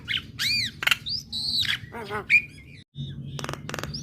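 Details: Female black-winged starling singing to provoke responses from other starlings: arched whistled notes, a sharp squeak, a harmonic rattle and short buzzy bursts, over a faint low hum.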